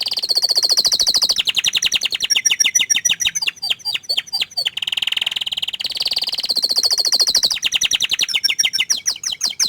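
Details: Canary song made of quick rolling trills that switch between high buzzy phrases and slightly lower rattling tours, continuous and loud throughout.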